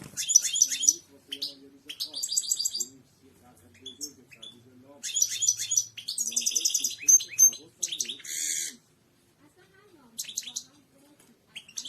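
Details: Goldfinch singing, offered as a training recording for cage birds: bursts of rapid, tinkling twitters and buzzy trills broken by short pauses, with a faint low murmur and a soft rumble in the background.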